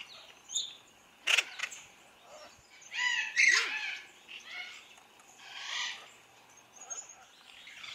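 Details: White-browed woodswallows, a pair kept in a large open flighted aviary while eating mealworms. Irregular bursts of harsh, scratchy chirps and brief down-slurred notes, several calls overlapping, with quiet gaps between.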